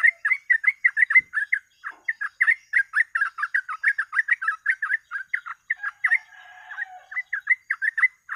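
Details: Long, energetic run of yellow-vented bulbul song used to lure birds: rapid gurgling, whistled notes in a steady stream, a short rougher interlude near the end, then the quick phrases return.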